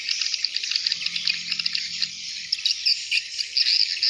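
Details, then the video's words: Hundreds of swiftlets entering their nests at dusk make a dense, continuous high chittering chorus, a steady shimmering wash of overlapping twitters with brief sharper peaks throughout. "Ratusan Burung Walet Masuk Sarang di waktu senja"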